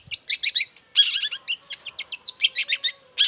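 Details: Long-tailed shrike giving morning song to make other shrikes answer: scratchy, buzzy notes in quick clusters, with one grating phrase and rapid chattered pulses.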